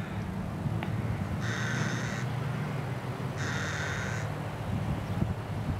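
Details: Rook (Corvus frugilegus) at a rookery with nests and young in England just before Easter, giving two harsh, drawn-out caws about two seconds apart, each nearly a second long, over a steady low rumble of wind or distant traffic.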